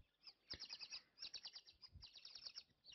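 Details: White-faced whistling ducks heard behind a live safari camera in Africa, giving rapid runs of thin, high whistles in bursts, with soft low thumps in between.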